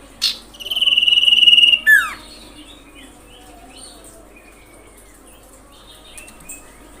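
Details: Common iora call used as a lure for other ioras: one sharp chip, a fast even trill held on a high note, a steeply falling whistle, then faint quiet notes.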